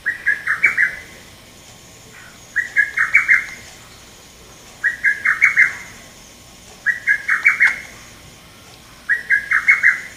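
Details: Male lesser cuckoo recorded 30 May 2017, giving its sharp call rendered as "tokkyo kyokakyoku": a quick phrase of about five clipped, strident notes, repeated every two to two and a half seconds over quiet background.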